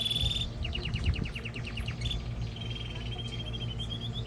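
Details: Canary song meant to stimulate mating and to train young birds: a high steady trill, then a fast run of repeated descending notes, then a long even trill with a low hum underneath.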